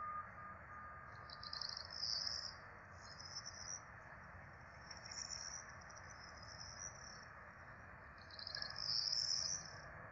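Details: Four peregrine falcon chicks begging while being fed at a nest in Rome on 12 April 2024. Thin, high, wheezy squeals come in bursts near the start and again near the end, over a steady low hum.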